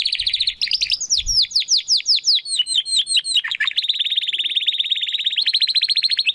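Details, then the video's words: Spanish Timbrado canary, young and still developing its song, runs through sweeping slurred notes into a long, fast, even metallic roll that continues nearly without pause. "Canary Song - Spanish Timbrado Classico"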